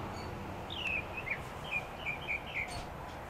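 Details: Mockingbird song: a string of brief, slurred, downward chirping notes repeated in quick succession, with constant low outdoor rumble behind.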